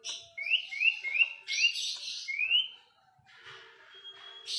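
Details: Asian pied starling singing: a run of four quick rising slurred whistles, then louder harsh notes and one more upslurred whistle, ending in soft scratchy sounds and a thin steady whistle.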